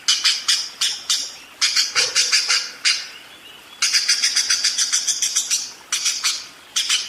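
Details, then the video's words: Budgerigar in full ngerol song: fast trains of harsh, buzzy, high chirps, one dense burst of rapid notes in the middle, with short breaks between runs. "SUARA BURUNG PARKIT ‼️ NGEROL DERES GACOR DOR"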